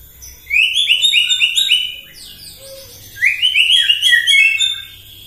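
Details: White-rumped shama singing in the morning to stir up other birds: two long rapid trills of stepped whistled notes, each rising then falling, separated by a short pause.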